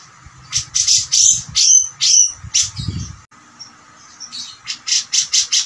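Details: A grey-cheeked bulbul gives harsh, rasping high bursts with a few downslurred whistles, about two phrases a second, with a brief low thump midway.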